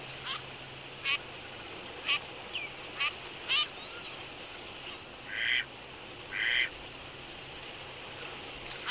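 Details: Wintering Eurasian teal in Absheron National Park, Azerbaijan, where females constantly nip each other while males stay calm, give short, clipped calls about once a second, then two longer, harsher quacking notes; a faint low hum underneath.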